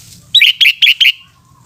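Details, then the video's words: Sooty-headed bulbul singing in the afternoon: four quick, liquid whistled notes in a tight series, each bright and slightly falling, over a quiet low hum. "Burung kutilang oceehan disore hari"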